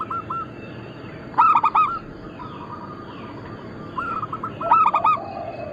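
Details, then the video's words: Local zebra doves of Bangkok cross type, recorded as lure or training material: two loud bursts of three quick rolling coos about three seconds apart, with softer cooing birds in between. "Perkutut lokal gacor - Pintar Mengundang Bunyi semua jenis burung kutut Lokal bangkok crossing"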